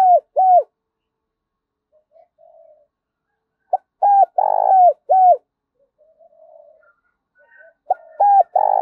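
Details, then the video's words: Spotted dove cooing while calling and being provoked to fight: short paired low hollow coos, a longer rolling coo in the middle, pauses between bursts, with soft quieter murmurs in the gaps. "cu gáy thúc đấu và gáy gọi mở lên bổi gáy gù mỏi cổ cả ngày"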